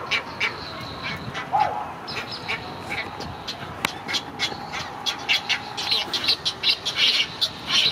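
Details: Begging calls of great egret chicks as a parent feeds them at Gatorland on April 15, 2021: a rough, rapid series of harsh clucking squawks that grows denser and louder toward the end, with faint voices and hum behind.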